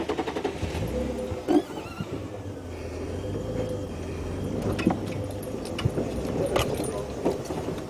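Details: Safari vehicle engine rumbling, with occasional clicks and knocks and a faint voice in the background; no animal calls stand out.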